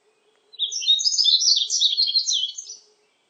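A Yellow-throated Bunting sings a quick, high, jumbled twittering phrase of about two seconds. A faint low hum runs underneath.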